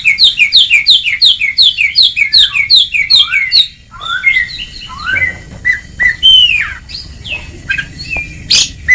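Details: Oriental magpie-robin, called kacer, in ngeplong training song: a long, even run of quickly repeated double chip notes lasting over three seconds, followed by varied sliding whistles and scattered sharp calls.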